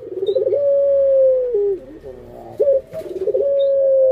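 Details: Pet Barbary dove with a pelung-style coo: a stuttering rolling start, then a long steady hooting tone that drops lower; after a brief pause a sharp rising note and another rolling lead-in to a sustained hoot.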